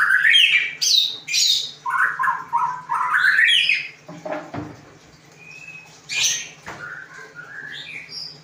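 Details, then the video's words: Magpie-robin song of quick rising whistled notes and sharp chattering phrases in bursts, a short pause of softer sound, then more rising whistles and a high held note; faint low hum behind. "Kicau murai"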